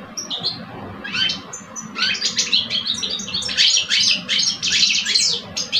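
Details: Singing match between two caged male European goldfinches from Algeria, an older bird and a two-year-old: a few chirps leading into rapid rhythmic twittering bursts with rasping buzzy notes, growing louder.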